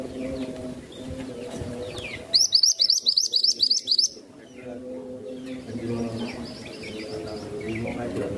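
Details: Masteran songbird giving a fast burst of about eight sharp, high, upward-flicking chirps in under two seconds, loud and close, set between stretches of low, steady, layered tones with faint distant chirping.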